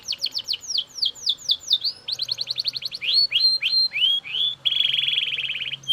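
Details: Belgian canary in loud song, opening with a quick descending series of chirped notes, then fast trills, rising whistled slurs and a dense buzzy rattle; a faint low hum runs beneath.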